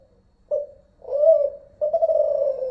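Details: Unedited Malaysian recording of a zebra dove with the Kelantan style of voice. A clipped coo leads into a swelling, rising-then-falling note and a long, steady, purring coo, all low and soft-toned.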